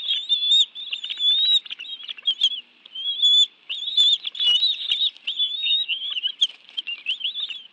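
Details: Bald eagles at their nest in the National Arboretum, Washington, D.C., on 11 June 2017 at 2:23 PM, as both adults bring fish for a meal with two young: continuous high, squeaky, wavering chittering, dense and uninterrupted, with brief soft rustles.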